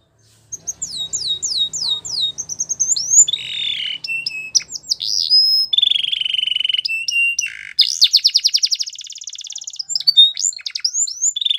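A Belgian canary sings a rapid, varied song of high descending slurs, buzzy trills and sharp chips, with fast rattling rolls in between.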